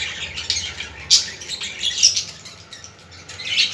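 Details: Budgerigar sounds played to stimulate other budgies. Scratchy high chirps and short squawks with sharp bursts near one and two seconds, then softer chatter toward the end.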